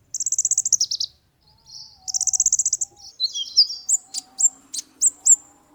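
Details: Olive-backed sunbird song for tutoring and luring birds: quick high trilled runs, then a jumble of thin notes and several sharp downslurred chips spaced about every half second.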